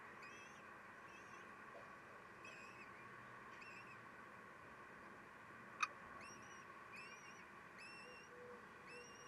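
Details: Common kestrel at a nest with chicks in May 2021, at a 12:45 feeding when the male steals food, gives short, whiny, upward-hooked notes roughly once a second over a steady electrical hum with one sharp click.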